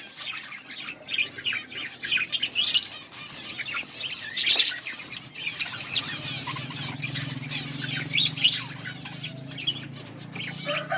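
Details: Eating budgerigars in a colony keep up lively high chirping and chattering from many birds, with loud peaks of sharp notes over a faint low hum.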